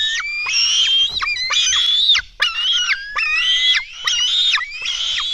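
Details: Black stork chicks at a Latvian nest call for food at dawn, 24 June 2016: a steady string of squealing, slightly rising notes roughly every second, overlapping voices and occasional clicks.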